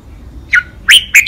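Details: Fragment of caged red-whiskered bulbul training song: a short falling whistle followed by two loud, bright, slightly buzzy notes in quick succession.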